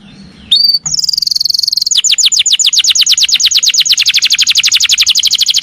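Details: Canary giving a long 'nembak' (firing) song meant to provoke other canaries: a short high whistle, then a sustained bright tone, then a fast, even trill of rapid repeated down-slurred notes that keeps going to the end.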